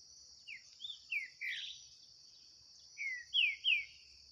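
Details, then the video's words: Green-winged saltator in a 2023 singing dispute against a wild bird in the bush: a phrase of four loud, descending whistled notes, a pause, then three more sliding whistles, over a steady high insect drone. "DISPUTA DO SÉCULO 2023 🔥TRINCA FERRO - SINISTRO X SOLTO NO MATO🔥"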